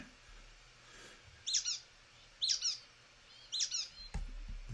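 Brown-headed Nuthatch giving three high, squeaky, rubber-ducky calls about a second apart, each a quick cluster of notes; a soft knock near the end.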